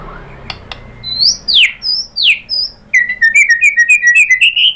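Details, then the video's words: White-rumped shama song played to provoke a caged shama to reply: two loud sweeping downslurred whistles followed by a rapid chattering trill of high notes. "pancingan MURAI batu bikin EMOSI NYAUT GACOR BONGKAR MATERI ¦ SHAMA BIRD"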